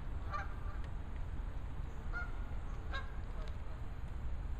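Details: A gaggle of geese gives occasional short nasal honks, spaced about a second apart, over a steady low rumble of wind or traffic noise.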